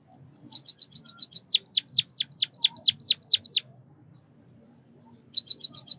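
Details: White-headed munia chirping: a quick run of short high ticks, then about ten loud downward-sweeping whistled notes roughly four per second, a pause, and another burst of rapid ticks.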